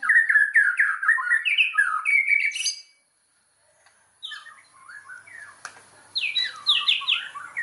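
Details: White-rumped shama lure song aimed at rousing other shamas: a stream of quick varied warbled notes, a silent pause of about a second, then softer notes building into bright, loud, descending phrases.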